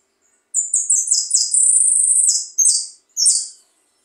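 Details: Goldfinch (jilguero) singing, likely caged: a loud, high, rapid series of short tinkling notes running into a sustained buzzy trill, then two separate sharp chirps, on a clean quiet background.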